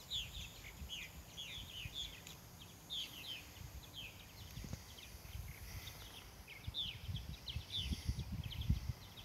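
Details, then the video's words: Swallow at Cedar Point, North Carolina, giving a steady chattering twitter of rapid, slurred chirps, with gusty low rumble and a few thuds in the background. "Cedar Point, North Carolina, Swallow Song"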